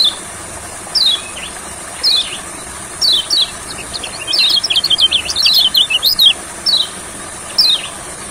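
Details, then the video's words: Olive-backed sunbird in a paddy field during singing therapy: spaced sharp, falling chirps build into a rapid, twittering burst of high notes, then slow back to single chirps, with continuous insect whine behind. "Terapi Kecial Kuning Di Sawah Gacornya Kumat.!!!"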